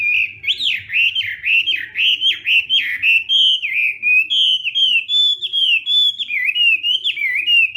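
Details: Morning training song of a Hwamei in fighting style: strong, rhythmic, looping whistled phrases repeated about twice a second, rich and melodious, over near-silence.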